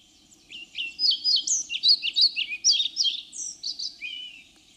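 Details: A European pied flycatcher, a Russian forest bird, sings a quick, high, jerky phrase of sweet, clipped notes that rises and falls, ending on a slurred downward whistle.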